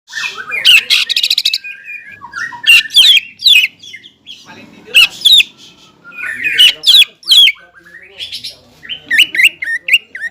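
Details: Greater green leafbird, a caged songbird singing to provoke rival leafbirds: loud bursts of rapid chattering notes, sharp downslurred whistles and buzzy trills in irregular phrases, with short pauses between bursts.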